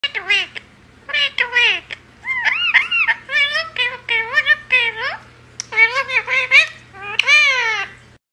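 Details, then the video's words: A blue pet budgerigar, a talking parakeet, chatters in short, speech-like bursts of high, warbling syllables, about a dozen phrases over eight seconds, over a faint steady hum. "Funny talking parrot | blue parakeet"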